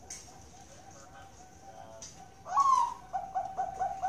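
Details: Bangkok-type zebra dove (perkutut) kept at a breeding farm in Kroya, Cilacap, Central Java, Indonesia, sings a very melodious song. Soft faint cooing, then a loud rising whistled opening note followed by a brisk run of mellow, evenly pitched coos.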